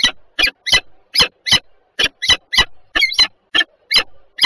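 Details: Peregrine falcons, a pair, at Żerań in Warsaw, Poland, on 14 February 2023 at 7:47. Loud harsh broadband squealing notes come in a rapid irregular series, about three per second, sharp and grating.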